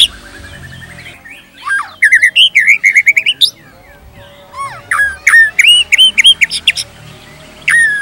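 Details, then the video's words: Captive-style white-rumped shama pancingan from Indonesia: loud wavy whistled phrases alternating with sharp downward strokes and upslurred notes, separated by short pauses. "PANCINGAN GACOR !! MATERI mewah cocok untuk masteran semua jenis murai | shama bird"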